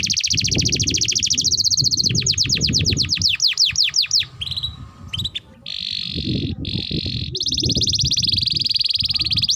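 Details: Long-singing canary used as a master recording for young canaries. A rapid rolling trill shifts into quick sweeping notes, breaks off briefly, then resumes with sustained buzzy rolls over a steady low rumble.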